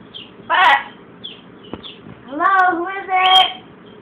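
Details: Pet blue-and-gold macaw with a cold mimicking a cough: a short, harsh, noisy cough-like burst, then a longer harmonic, voice-like squawk in two parts, over faint chirping in the background.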